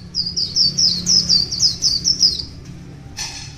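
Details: Wild white-eye, one year old, in morning song: about ten rapid, piercing downslurred notes in two and a half seconds, then silence broken by a single sharp broadband crack near the end.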